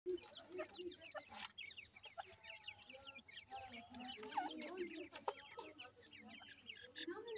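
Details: Grey francolin chicks giving a dense chorus of short, thin, downward-slurred peeps that overlap rapidly, with softer low clucking notes and occasional knocks beneath.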